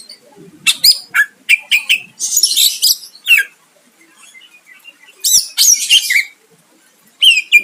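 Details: Greater green leafbird song used to draw a response from a rival, bursts of harsh buzzy chatter and clear slurred whistles separated by silent gaps of one to two seconds.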